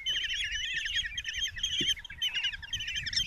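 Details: Five common kestrel chicks in a nest box at Tiszalök, Hungary, on 27 June 2024, as their mother brings a mouse for breakfast. They beg with shrill, wavering, overlapping calls that run without pause over faint low rustling.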